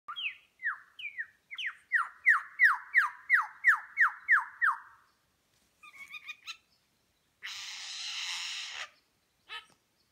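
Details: Superb lyrebird in New England National Park, NSW, Australia, mimicking other bird calls while displaying its tail feathers: a run of about ten rapid descending whistled notes, then chattering phrases and a harsh buzzy burst.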